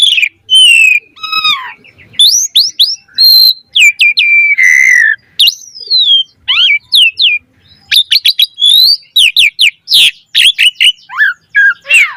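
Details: Asian pied starling in full caged song, used as a lure to train captive birds: twelve seconds of fast varied phrases, with slurred whistles, a drawn-out buzzy note, rising and falling sweeps and sharp harsh bursts.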